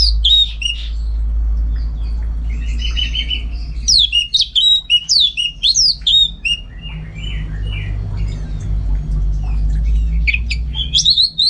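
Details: Orange-headed thrush, kept and trained for song contests in Singaraja, North Bali, delivers a long, rich medley of sweeping whistles, rapid downslurred chirps and brief pauses over a continuous low hum.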